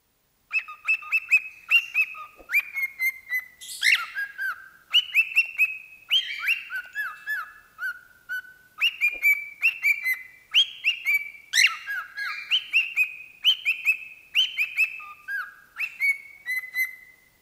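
A cockatiel whistles a lively song of clear, bending notes and quick repeated phrases.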